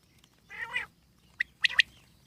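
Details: Wild common quail (jungli batir): a drawn-out nasal, mewing note, then after a short pause three sharp clipped notes, the last two in quick succession, over a quiet background.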